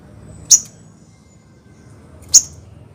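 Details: Sogon, the crested jay, giving two isolated piercing high clicks almost two seconds apart against a faint low rumble, from a recording meant to make other sogon respond.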